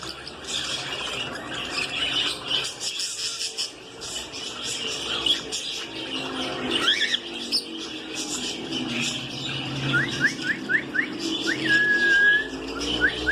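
Budgerigars chatter in a dense, scratchy warble broken by short rising chirps and a thin whistle.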